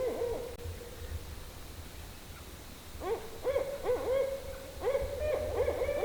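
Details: Barred owls at night while camping in the Georgia swamps, by canals, calling back and forth with wavering, swooping hoots and cackling notes, overlapping in quick bursts after a faint opening call.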